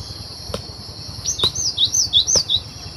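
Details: Wild cinereous tit, recorded in Indonesia as a lure for bird trapping, giving a lively series of about seven high clear whistles alternating between higher and lower pitch, see-sawing quickly, with sharp clicks and a constant insect hum behind.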